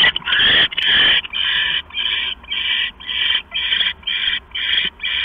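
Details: Owl pair at night, 10:52 PM, September 6, 2015, the male arriving with a mouse for the female; rapid series of harsh, noisy hisses, nearly two per second, steady and evenly spaced after a longer opening burst.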